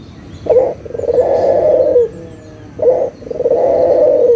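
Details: Local puter dove call serving as a lure for non-singing doves: two phrases of a short gruff note followed by a long burring coo falling at its tail.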